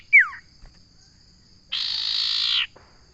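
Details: Common iora: a brief downward-sweeping whistle opens, then after a pause a single long buzzy trill of almost a second.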